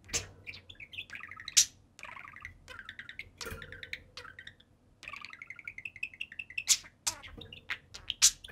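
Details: Two budgies at play on their cage top give a long, rambling chatter of buzzy warbled phrases and a steady rising trill, with scattered sharp clicks and chirps between phrases.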